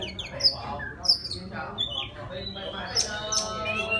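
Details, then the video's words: Wild Oriental magpie-robin singing to lure a female: piercing short whistles and downslurred notes, interspersed with harsh grating calls, with a constant low-pitched background hum. "Tiếng choè than rừng hót gọi mái"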